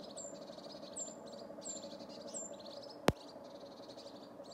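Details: Angry tits scolding a pygmy owl they discovered in Oslo in January, on a phone: repeated buzzy chattering phrases with thin high notes, one sharp click, and a steady low hum behind.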